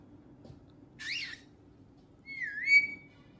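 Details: Whistling pet parrot at home: a short raspy two-part chirp comes first, then after a pause a smooth, clear whistle dips and rises before leveling off into a sustained tone, over quiet indoor background hum.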